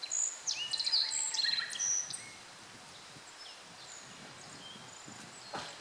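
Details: Black-faced bunting singing, recorded 14 July 2013 without the bird in view; a bright, high phrase of quick varied whistles and trills opens, followed by quiet hiss and a couple of faint distant notes.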